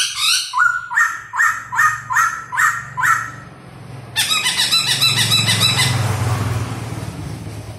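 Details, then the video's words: Caged laughingthrush singing while dancing: a series of six loud, rich phrases about twice a second, each a sweeping note with harmonics, followed by a dense buzzy, rattling stretch of rapid repeated notes. "CHIM KHỨU CĂNG LỬA II HÓT - MÚA HAY"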